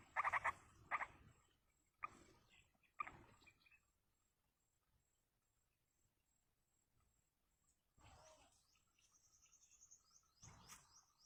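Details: Yellow-vented bulbul chicks begging as a parent feeds them in the wild; short harsh bursts of rapid, harmonic chattering notes, then silence and a few scattered calls later, with a faint steady high hiss throughout.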